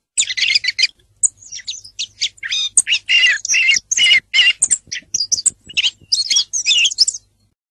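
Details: Song thrush singing a loud, rapid string of varied phrases, with clear whistled notes alternating with harsher, scratchy ones. Some short phrases repeat back to back and pauses are brief, over a faint low hum.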